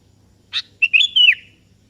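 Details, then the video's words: Sooty-headed bulbul, singing actively and calling a rival that answers: a brief buzzy note, then a short whistled phrase of bright, liquid notes that rises and then slurs downward. The background is quiet. "Suara Merdu Burung Kutilang KEBO Gacor Memanggil Lawan Ikutan Bunyi"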